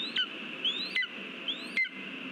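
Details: A lesser spotted eagle (Clanga pomarina) in Latvia, recorded 13 August 2023 during a delivery of mice, gives short, high, rising yelps, roughly three in two seconds, over a steady background hiss.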